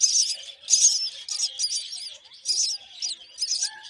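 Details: Hungry myna chicks being fed termites by their mother give harsh, raspy, high begging calls in bursts roughly every half second to second, with faint softer chirps in the background.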